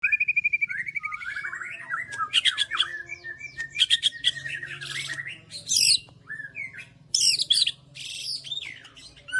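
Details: White-rumped shama singing constantly: rapid repeated whistles, then a rich, varied run of slurred, rising and falling phrases, sharp clicks and loud high bursts, with a faint low hum beneath.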